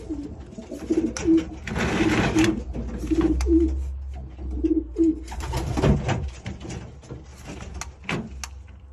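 A pigeon gives low, throaty cooing notes in short bursts, about one a second, with some rustling and handling noise in a small room.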